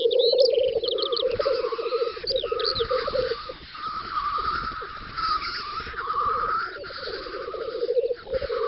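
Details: Black grouse (Lyrurus tetrix) lekking on a spring field in western Russia, Volga region, 9–10 May 2019: low, continuous, rolling bubbling coos rising and falling in long runs, with higher calls of other birds over the top.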